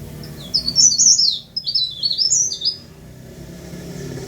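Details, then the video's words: High, sibilant twitter from a tame leaf warbler that sings readily: a two-second stream of quick slurred notes swooping up and down at a very high pitch, then quiet apart from a low hum. "Burung Blereng/Tralis/Cikrak Daun/Pare-Pare/Sirlis"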